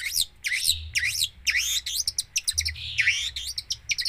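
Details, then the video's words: Long-tailed shrike in full, varied song: sweeping high whistles that swoop down and up, mixed with quick chips and a brief trill, a low hum underneath. "cendet gacor full isian"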